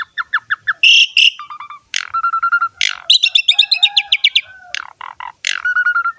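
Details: Asian pied starling in full song, used to lure and tutor starlings: quick chirps and loud squawks mixed with steady whistled trills and fast rattling chatter, tumbling along without a break.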